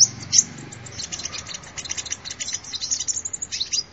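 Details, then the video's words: Sunbird lure recording of busy, rapid high-pitched twittering: dense clusters of thin chirps tumbling over one another, a couple of louder notes at the start, then a continuous chattering stream. "tiếng chim hút mật"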